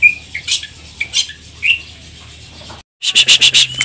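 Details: Greater green leafbird (cucak ijo) song in the 'isian cililin' style: scattered whistled slurs and sharp chips, then after a brief gap a rapid, loud series of high chattering notes.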